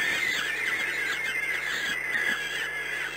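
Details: A peregrine falcon at ORLEN Płock, 13 May 2016, 13:20, giving harsh, high squealing calls that overlap almost without pause, over a steady electronic hiss.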